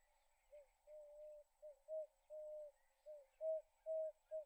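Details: In Kruger National Park, an Emerald-spotted wood dove gives a series of soft, low hooting coos, some short and some drawn out, about two per second, against a quiet background.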